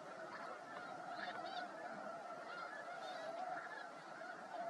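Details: Migrating snow geese gathered on frozen Freeze Out Lake in Montana in March sunshine, with birds walking through the flock and honking; constant massed honks with a few louder, nearer calls standing out.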